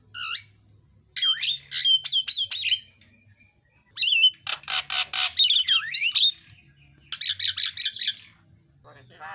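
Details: Javan myna (jalak kebo) singing isian filler song, a lure for other birds: clusters of sharp whistled and squeaky notes, then dense grating chatter with swooping whistles, and a final burst of rapid harsh notes.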